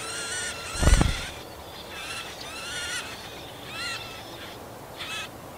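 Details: A marsh warbler feeding its nestlings in shrubby forest-park growth near Yekaterinburg on 30 June 2020 gives short bursts of high, harmonic, slightly nasal calls in about four groups over several seconds, with a dull thump near the start.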